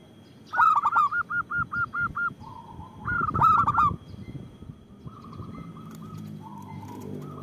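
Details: Frequently calling local zebra dove with a big voice, used as a lure and to stir lazy doves into song. A sharp opening note runs into a rapid string of eight even coos, then another burst follows. Quieter doves coo in the background.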